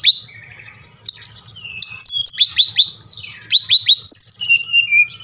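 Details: Song of a Brown-chested jungle flycatcher, meant to provoke caged birds into song; after a quiet start, bright high whistles, sharp downward strokes and slurred phrases follow in quick succession over a faint low hum.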